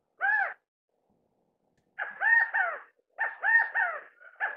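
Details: California quail (Callipepla californica) with chicks being fed, giving loud, nasal, arched notes: one lone note, then two quick three-note phrases, each note dropping at the end, in otherwise quiet surroundings.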